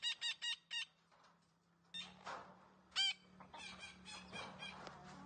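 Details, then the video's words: Green parrot, said to be talking: four quick, clipped, harsh notes, a short quiet gap, then a louder squawk and a jumble of rougher notes over a steady low hum. "Green parrot talking sounds"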